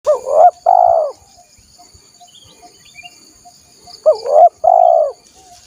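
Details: Spotted dove lure call for attracting wild doves: two loud, low, hollow cooing phrases about four seconds apart, each a quick wavering double note followed by a longer drawn-out coo, with faint high background hiss.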